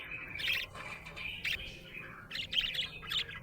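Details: Happy budgerigar chirping in short scratchy bursts: a squeaky phrase near the start, another around one and a half seconds, then a quick run of chirps toward the end.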